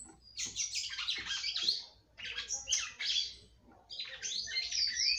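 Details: Female red-cowled cardinal in captivity sings to stimulate the male, with three rough, squeaky bursts of high chirps and slurred whistles, each about a second long with short gaps between.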